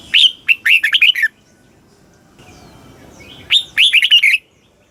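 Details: Thai red-whiskered bulbul song of the southern master style, played to rouse caged birds and train young ones: two lively phrases of sharp rising whistles and rolling warbles, separated by a couple of seconds of faint room hiss.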